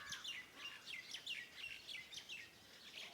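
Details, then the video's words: Birds in the morning around a farmhouse giving sharp high chirps with downward-sliding tails, repeated roughly every quarter to half second in a lively, uneven sequence. "Sounds of birds in the morning around my farm house"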